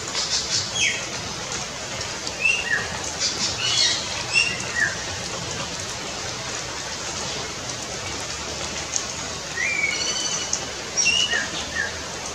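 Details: Two greater racket-tailed drongos in Pakke Tiger Reserve give short, metallic, whistled notes in two loose bursts, some rising and some falling, over a steady hiss like rain.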